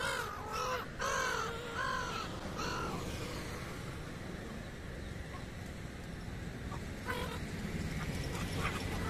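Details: Noisy flock of migratory black-headed gulls in India: a burst of loud, harsh, downward-arching cries in the first three seconds, then scattered fainter calls within a steady, rushing background noise.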